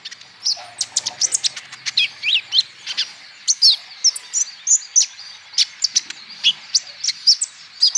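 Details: Lively song of a male olive-backed sunbird from Natuna, meant to trigger singing in other birds: dense volleys of sharp high chips mixed with brief downslurred whistles, delivered rapidly and steadily.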